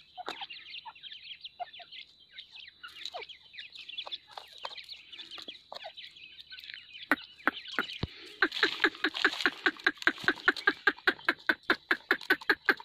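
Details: Grey francolin calling: after several seconds of scattered soft clucks and chirps, loud harsh notes start up and repeat quickly and steadily, more than two per second, to the end.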